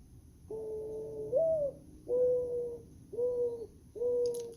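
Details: Mourning Dove song, called a sad song: a low, mournful hooting coo, a drawn-out first note swelling upward, then three even coos about a second apart, over a faint high hiss.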